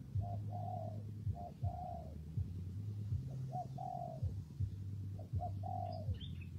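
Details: Spotted dove cooing in rainy, windy weather, softer and further back: short double notes, then longer coos that slur downward, repeated every two seconds or so. A loud, steady low drone runs throughout.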